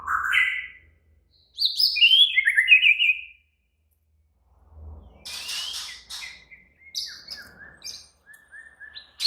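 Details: White-rumped shama singing in an agitated, excited state: clear whistled phrases sliding between low and high notes, then a gap, followed by harsher broadband chatter and short whistles.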